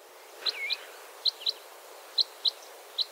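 Red Crossbill giving sharp, metallic 'glip' calls, seven of them in loose pairs over three seconds, high and clipped, with a faint background hiss.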